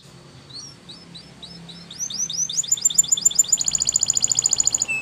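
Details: Training song of a Spanish Timbrado canary, built from spaced, high upslurred whistles that quicken into sweeping notes and then a long, fast, ringing metallic trill.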